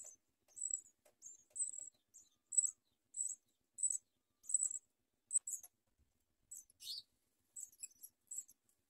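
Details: House sparrow nestlings begging while their mother feeds them, the chicks biting at her; thin, very high hissy chirps in short bursts about every half second, with a brief lower slurred note near the end.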